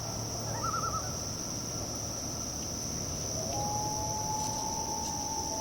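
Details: Common Loons call from the water a few feet away at West Hawk Lake, Whiteshell Provincial Park, Manitoba, Canada: a brief quavering tremolo, then a long, drawn-out wailing note, over a steady high insect drone and low rumble.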